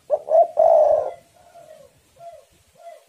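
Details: Spotted doves calling against each other, recorded as a lure to get caged doves singing: one loud coo phrase of two short notes and a long wavering coo, followed by fainter answering coos.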